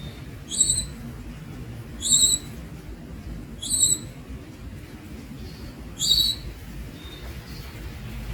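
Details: Newly hatched young Javan Munias give thin, high, squeaky calls in short bursts, about four over eight seconds, each a quick two-part note, over a low steady background hum.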